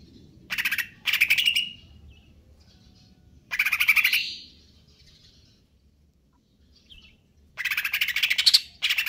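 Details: Greater green leafbird singing konslet kejer nembak style: three bursts of fast harsh rattling notes, each ending with a rising squeal, separated by quiet gaps with faint high whistles.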